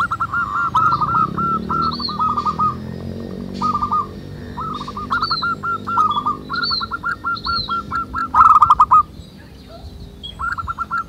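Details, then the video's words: Many wild local zebra doves singing: rapid overlapping sequences of hooked coos in bursts, a loud busy passage near the end, then a pause and a short final run, with high chirps from other birds. "SUARA BURUNG PERKUTUT MANGGUNG RAMAI DI ALAM"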